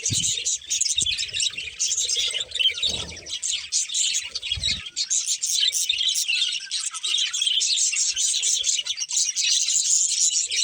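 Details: A breeding pair of budgies chatters nonstop, with busy high twittering and rapid chirps layered over each other for the whole stretch, and occasional soft low knocks and rustles.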